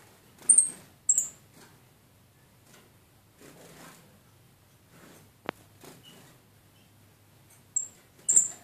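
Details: One of two almost tame female red-eared parrotfinches (Erythrura coloria) in a decorated birdcage gives very high, thin, short tsit notes in two pairs, separated by a long pause, with faint rustling and a sharp click.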